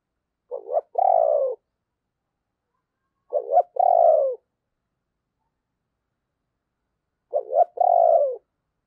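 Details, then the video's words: Decoy spotted dove cooing to stir other doves into cooing, three paired low coo phrases, a short note then a longer mellow falling coo, repeated about every three seconds in silence. "Chim Cu Mồi Thúc Và Gáy Gọi Kích Bổi Nhanh Gáy"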